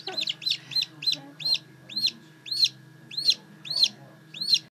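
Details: Blue Silkie chicks, just hatched, peep continuously: loud, high, rising-then-falling cheeps repeated roughly twice a second, with a low hum and faint background clucking beneath.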